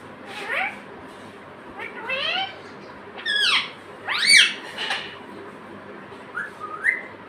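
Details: Pet parrot chattering human words like "mummy" and "papa" in a quick series of harmonic, rising and falling syllables with some shrill peaks, ending in two short whistled notes.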